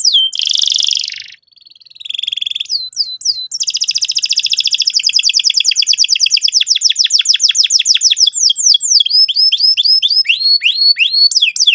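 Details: Lively canary song used to get another bird singing: a harsh buzzy burst, a pause, then a long rapid roll that slows into separate downslurred whistles and swooping notes. No other sounds.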